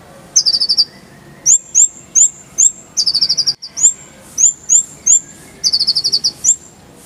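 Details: Kolibri ninja, the purple-throated sunbird, in a clear-voiced tutor recording for songbirds: very high upswept whistles alternate with rapid descending trilled runs, packed densely with barely a gap.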